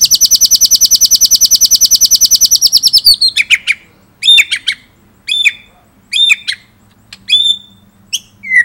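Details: White-rumped shama (murai batu) singing actively, a training recording for songbirds with 'ngerol' and 'nembak' song material: a fast, even high trill for three seconds, then loud separate sweeping whistled notes falling to mid pitch, each about a second apart.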